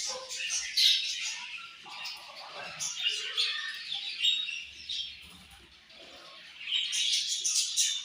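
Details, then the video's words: Flock of budgies at morning feeding, chattering and chirping in overlapping high twitters that fade mid-clip and then swell again toward the end. "Budgies Morning Food And Chirping Sounds"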